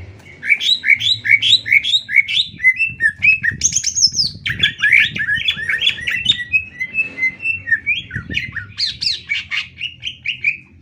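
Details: Greater green leafbird master song for training other birds: rapid, varied chattering phrases of sharp whistles and slurred notes, with a brief high whistled burst near the middle, pouring out almost without pause.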